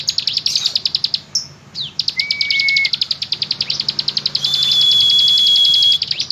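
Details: Bar-winged prinia (ciblek gunung) singing vigorously in the rapid-fire ngebren style: a fast, even rattle of sharp high notes, with long steady high whistles laid over it and a faint low hum beneath.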